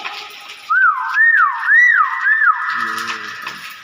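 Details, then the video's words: Common hill myna, chatty and in good form, giving four quick looping whistles, each rising then dropping, in a rapid even series over under two seconds, followed by a low rumbling murmur. "BEO GACOR BAGUS SUARA ASLI"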